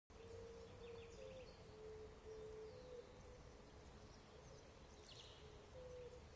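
Pied imperial pigeon giving low, hollow hooting coos in short repeated notes, over a steady rumble of background noise and faint chirps from other birds.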